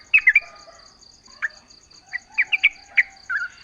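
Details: Yellow-vented bulbul song used as a lure to prompt other bulbuls to answer: short bright chirps and quick clusters of notes, with a steady high ticking hum in the background.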